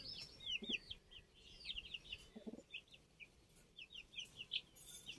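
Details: Several older chicken chicks on 29 June keep up a rapid series of high, short, downward-bending cheeps, with a couple of lower soft thuds in between.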